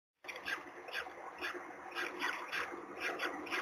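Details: Peregrine falcon at its nest in Gdynia, Poland, on 16 April 2021, as the third chick hatches, picked up by a nest webcam: hoarse, harmonic calls repeated roughly once a second over a steady electrical hum.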